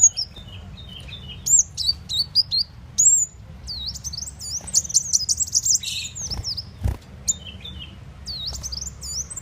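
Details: High, thin, squeaky sunbird calls, the muncang or kolibri wulung, used as a lure for catching birds: sweeping whistles and twittering chips in uneven bursts, with a couple of brief low thumps.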